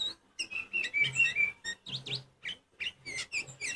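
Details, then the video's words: Oriental magpie-robin song used to provoke rival birds: a trilled whistled phrase followed by a run of short buzzy, descending notes repeated in quick succession. "Kacer Poci Nyusun Lagu ‼️Kacer Poci Diam Pun Auto Nyamber Bunyi Kencang"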